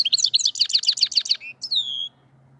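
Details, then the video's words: Black-headed goldfinch song, Andijan–Kuva–Fergana area: a fast rhythmic series of about ten bright, ringing double notes, a short lower note, then a drawn-out falling whistled slur. A soft low hum continues to the end. "АНДИЖОН КУВА ФЕРГАНА САЕРОКИ САВА"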